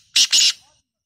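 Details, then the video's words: Black francolin giving two loud, harsh, grating notes in quick succession, the second slightly longer, then silence. "Black tater tots voice"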